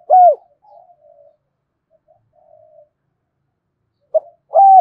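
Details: Morning cooing from a lure spotted dove calling wild birds, 'thổ sấm' voice: a loud falling coo, faint murmuring coos in between, then a short note and another strong coo at the end.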